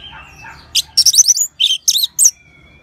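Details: Orange-headed thrush song played to prompt other birds to sing: a rapid jumble of sharp, scratchy high chirps and buzzy notes in quick bursts, ending with a thin faint whistle.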